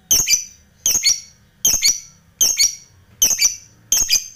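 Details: Lovebird challenging rival birds: harsh, high, double-syllable squeaks repeated regularly about every 0.8 seconds.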